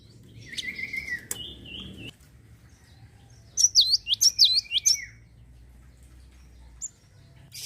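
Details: Java sparrow in full song, used to stir other birds to sing: a few scattered whistled notes first, then a brief burst of about six sharp, high, down-sweeping chirps.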